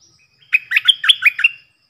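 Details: Song of a stripe-throated bulbul decoy, played so young birds sing along and wild birds are drawn in: a tight, rollicking string of about seven liquid whistled notes lasting about one second.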